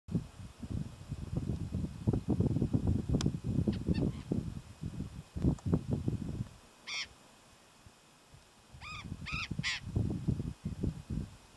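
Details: A burrowing parrot (Cyanoliseus patagonus patagonus) in southern San Luis, Argentina, in July 2011 gives a few harsh, grating screeches, one alone and then a quick cluster of three, over heavy rumbling wind noise.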